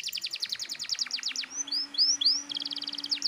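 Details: Canary pouring out energetic song meant to trigger young canaries: a rapid series of high downward-sweeping notes, a few rising whistles, then a fast chattering trill, with a faint steady hum underneath.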